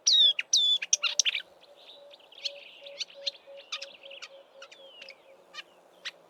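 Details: Marsh warbler mimicking southern African birds in Eastern Cape bush during March before heading north; a few loud whistled and chirped notes open, followed by softer scattered ticks, with a faint, steady low pulsing note repeating in the background.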